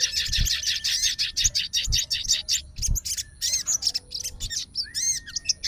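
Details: Fighter sooty-headed bulbul, excited and responding to bulbul calls to challenge a rival: quick repeated high chattering notes, then slower looping slurs and sharp chirps, over intermittent low knocks.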